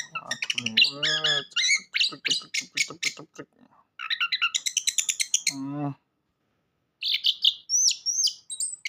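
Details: {'caption': 'Orange-headed thrush singing as a lure for a silent bird: rapid high chirps and trills broken by a pause, with lower buzzy harmonic sounds mixed in near the start and middle.'}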